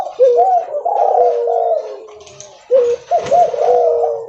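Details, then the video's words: Leopard-variety spotted dove, very vocal, walking while it calls; two phrases of soft, arching coos separated by a short quiet gap, with light tapping noises. "Suara Derkuku Leopard Volume Besar Super Gacor Bunyi Sambil Jalan"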